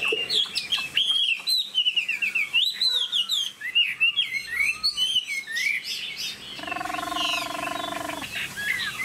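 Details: Caged Chinese hwamei singing loud, varied phrases of rapid whistled slurs and rising-falling notes at high pitch, briefly overlaid near the end by a steady buzzing tonal hum with stacked harmonics.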